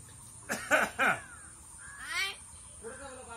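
A common hill myna talks: three harsh, voice-like syllables in quick succession, then a rising-falling whistled phrase and a softer, speech-like trailing note.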